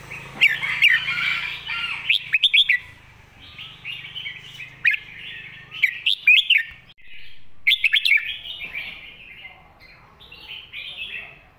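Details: A red-whiskered bulbul delivers its master song for teaching young birds, with repeated bouts of liquid, chattering whistled phrases, each a quick string of bright notes, broken by short pauses and a low background hum.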